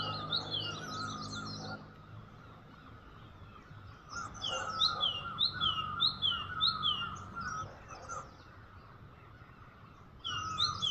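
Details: Bird singing on Eid morning in Murree, Bhurban, Pakistan: bright chirpy notes in quick repeated bursts, pausing and resuming, over a steady low hum and background noise.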